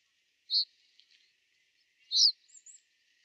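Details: Common reed bunting in winter at Genk, Boxberg: two clear high chirps about one and a half seconds apart, followed by faint thin high notes and soft ticks, otherwise quiet.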